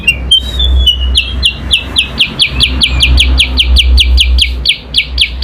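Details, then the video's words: Chinese hwamei, kept as a cage songbird and recorded in a singing contest against a magpie-robin, gives a fast run of loud, clear downslurred whistles about four per second, with a few higher chirps over a steady low hum. "kutilang sutra SUPER GACOR vs Kacer adu kicau"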